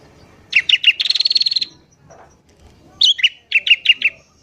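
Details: Sooty-headed bulbul singing energetically in the morning, in a recording used to lure wild bulbuls: a few bright chirps run into a fast buzzy trill lasting about a second, then after a pause another burst of clipped, repeated chirps.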